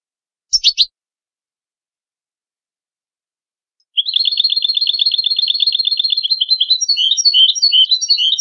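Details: European goldfinch song: a brief burst of three sharp high chirps, a pause of about three seconds, then a long rapid twittering trill of repeated high notes that turns more varied and jangling toward the end.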